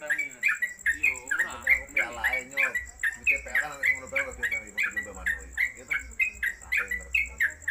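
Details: Caged trucuk (Yellow-vented Bulbul) at home on a hanging pole, keeping up a long 'konslet kemedol' song: close to thirty quick chirped notes over eight seconds, with lower overlapping voices near the start and a thin high whine.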